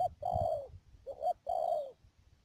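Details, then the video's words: Trapping decoy spotted dove, Mương Điều, Đầm Dơi, Cà Mau, Vietnam, March 12, 2019, giving a long smooth coo, a short double note, then another drawn-out coo, clear and close. "BẪY CHIM CU GÁY CÀ MAU .BỔI MƯƠNG ĐIỀU"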